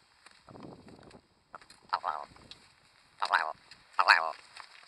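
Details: Willow ptarmigan in winter plumage foraging and climbing in willows on tundra in Manitoba give three short, harsh, croaking bursts about a second apart, after a soft low rumble of wind or movement.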